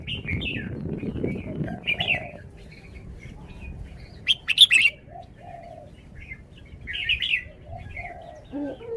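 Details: Red-whiskered bulbul singing in its song style: loose chirpy notes over a low rumble at first, then a sudden cluster of loud, liquid warbles, and a few later phrases with soft background noise.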